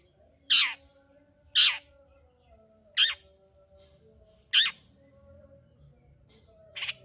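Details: Lively long-tailed shrike used as a lure to rouse quiet shrikes: loud, rough, scratchy calls at irregular gaps of one to one and a half seconds, with a faint hum in the background.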